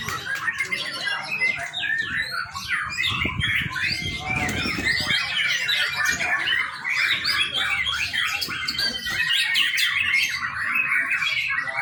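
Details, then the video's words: Young white-rumped shama singing, used as a lure to train other birds; a dense, continuous stream of varied chirps, whistles and rapid trills fills the recording, with a brief low thumping noise near the middle. "murai batu muda. cakep buat pancingan"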